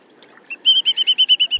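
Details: A Whimbrel, a wader migrating through the UK in April–May, gives its distinctive contact/flight call: a rapid series of about eight clear, even, confident whistled notes, not distressed, a rippling titter ('Seven Whistler'). Finding: Whimbrel.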